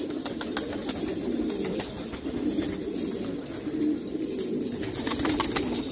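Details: Afghan black pigeons coo in a continuous low chorus, soft rolling notes overlapping, with scattered sharp clicks and light taps on top.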